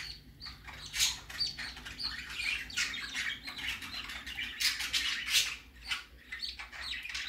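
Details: Baby budgerigar (parakeet) going out for the first time, giving harsh, scratchy squawks and short chirps in rapid, irregular bursts, with several louder screechy notes, in a small indoor room.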